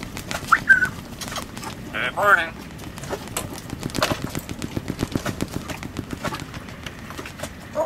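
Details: A female pet grey parrot living on a sailboat in the Caribbean gives a few short whistles and harsh, speech-like squawks in the first few seconds, over steady tapping and clicking.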